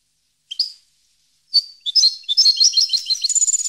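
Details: European goldfinch starting with two isolated chirps, then breaking into a quickening burst of tinkling, twittering song notes that builds into a rapid high trill.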